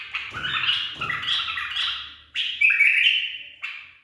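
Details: Tame bulbul trained in the 'barwaz' style: dense, overlapping chattering warbles, then a clear gurgling phrase ending in a held whistle, with faint low rustling behind.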